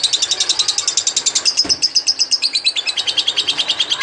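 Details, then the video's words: Lovebird in lively song, used to train magpie-robins: rapid high twittering chirps with one sharp click partway through, the notes carrying on without pause. "Burung Love bird gacor untuk isian murai batu"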